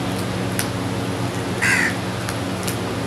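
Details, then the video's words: Crows feeding together and calling; a single short, hoarse caw stands out midway above a constant low mechanical hum and scattered faint clicks. "Crows are eating and sounding together"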